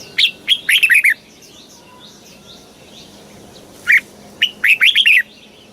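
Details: Red-whiskered bulbul from Thailand singing the southern master style, played to excite birds and train young birds: two rapid bubbling phrases of liquid whistled notes, with faint background chirps in the gap.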